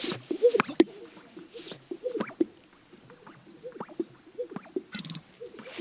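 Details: Greater sage-grouse males gathered on a breeding lek near Hudson, Wyoming, USA, in spring, displaying to females. Continuous low gurgling plops and popping burps overlap from several birds, broken by brief dry swishing rustles.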